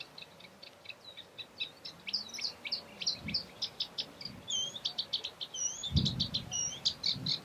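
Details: A Eurasian reed warbler in Doñana National Park, Spain, in April 2011 sings a steady run of chattering, scratchy notes, each repeated two or three times at a brisk pace, with a few low thumps in the background.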